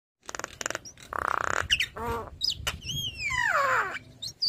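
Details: Black-winged starling, a caged bird singing prolifically while head-bobbing. Harsh buzzy bursts and rattling pulses lead into clear whistles, then a long descending whistled slur with overtones, ending in short chips.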